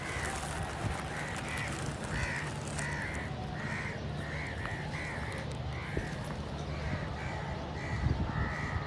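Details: Loud crow calls: a steady series of about a dozen harsh, nasal caws, evenly spaced roughly every three-quarters of a second, over constant low background hum.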